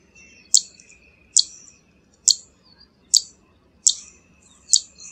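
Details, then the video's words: Six crisp, very high 'zit' notes from a zitting cisticola, spaced about 0.9 seconds apart, each a short sharp tick with a brief fading tail, over a soft, low background hiss. "Tiếng chim Chiền chiện đồng hung | Chiền chiện xám ✅Zitting Cisticola call | นกยอดข้าวหางแพนลาย"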